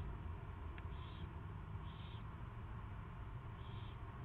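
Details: Owl at its first feeding, recorded 24 February 2016 at 2:15 PM: three short raspy, hissing bursts in four seconds over a constant low hum.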